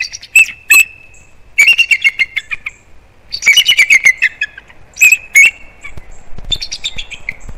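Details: Bald eagles on alert at their Florida island nest, Captiva/Sanibel, December 18, 2021, morning after an intruder: repeated bursts of thin, high chattering squeals and piping notes spread across several seconds, some bursts long, others short.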